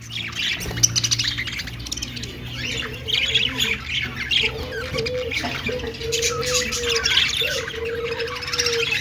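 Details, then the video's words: Budgerigar chirping while singing and dancing: dense, raspy, high-pitched warbling and squawks, with a steady mid-pitched tone drawn out in several pulses through the middle and end, and a background hum. "Budgie singing and dancing || parakeet chirping sounds"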